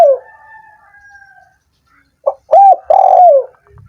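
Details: Spotted dove call used to stimulate lazy doves that are slow to sing: a faint, long steady tone first, then after a pause a short note and two loud, hoarse, falling coos run together.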